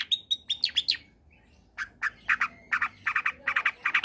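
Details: Long-tailed shrike singing a combination song, meant to prompt quiet shrikes to join: a rapid burst of high clipped notes, a short gap, then a steady series of lower, grating chattering notes in pairs and triplets.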